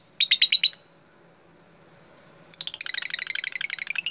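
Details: Lovebird song used as a lure to teach lovebirds a tight, closely spaced song style: a short burst of sharp, repeated chips, then after a pause a dense, rapid chattering run of shrill notes, with a faint low hum underneath.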